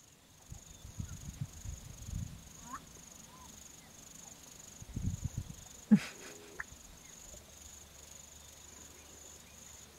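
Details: A Black-bellied Bustard in southern Africa calls from an elevated dam wall used as a song post, advertising presence or attracting a mate. It gives low, muffled croaking notes, then a sharp pop and a brief nasal sound, over a steady high insect whine.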